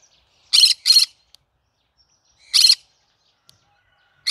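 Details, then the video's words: Cinnamon green-cheeked conure singing: a quick pair of harsh, buzzy shrieks, then a single shriek about two seconds later, each burst short and broadband, with quiet gaps between. "Chinnamon conure singing to day so funny."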